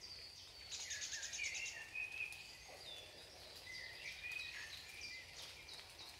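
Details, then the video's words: Nine-day-old song thrush nestlings in the nest give thin, high squeaky calls, several overlapping in quick bursts, over a soft background hiss. "Song thrush chicks"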